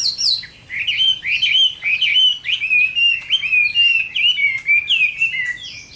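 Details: Chinese hwamei in fighting song at midday in summer, loud clear whistled phrases with upward and downward slurs, several bright sustained notes strung together steadily over six seconds.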